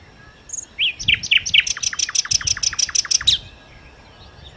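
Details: Nightingale singing loudly for luring birds: a high whistle, a few rising notes, then a fast run of about a dozen evenly repeated sharp notes over roughly two seconds.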